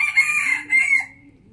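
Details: Morning rooster crow caught mid-call: a bright, high sustained note breaking into a second burst, then fading out, with faint low clucking underneath.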